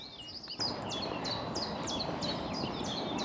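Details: A Common Chiffchaff sings a steady run of high, clipped notes alternating in pitch, about three per second, over steady rushing wind. Recorded just after sunrise at RSPB Otmoor wetland reserve, Oxfordshire, among reed beds and grazing marsh.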